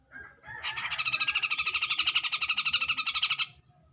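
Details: A grey-cheeked bulbul goading a rival with a fast, continuous rasping rattle of many harsh pulses lasting about three seconds, loud and steady from start to finish, over low background hum.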